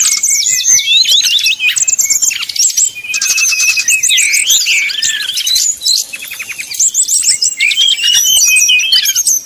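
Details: Lure song of a brown-chested jungle flycatcher meant to get rivals singing quickly: rich fluted phrases of quick up-and-down whistles, trilled runs and brief gaps between bursts.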